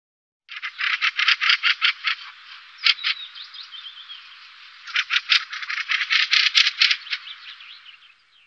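Mistle Thrush giving harsh, dry rattling chatters in quick bursts, pausing briefly midway where a few thin, faint whistled notes slip through.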